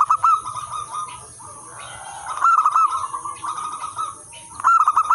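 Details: Local zebra doves cooing as a lure for training other zebra doves: a fast rippling phrase, a pause of soft murmuring coos, then further quick stuttering phrases overlapping, with a persistent thin hiss.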